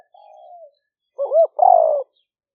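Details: Spotted dove lure call in liu fueang style, recorded live on a smartphone in rice fields near Tao Lek, Roi Et, Thailand, rainy season 2021; a soft sliding coo, then a wavering rising-falling note and a long buzzy descending croo.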